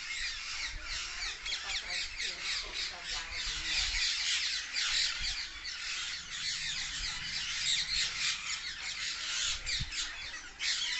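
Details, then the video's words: Parrots crowded into one tree call together in a loud, unbroken chorus of sharp, high chirps and squawks, many birds overlapping with no pauses, and occasional soft low rumbles in the background. "A Tree Full Of Parrots| Natural Parrot Sounds| Loud Parrot Chirping"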